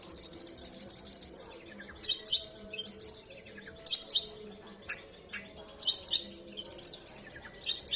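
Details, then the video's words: Long-tailed shrike, a songbird kept in Indonesia, sings a mimicking song: a fast high buzzy trill lasting over a second, followed by paired sharp chips and short high bursts every second or so. "Cendet tampilan mewah"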